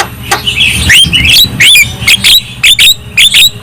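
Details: Javan myna's characteristic chatter, used to stir other Javan mynas into singing and agitation: harsh squawks and sharp rising whistled notes repeated in quick bursts, over a low rumble of background noise.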